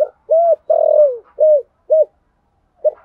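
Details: Spotted dove giving a lure call in the 'thổ' voice style: loud, low, hollow cooing notes, a short coo, a longer drawn-out coo, then two more short coos and a final note, in a clean recording.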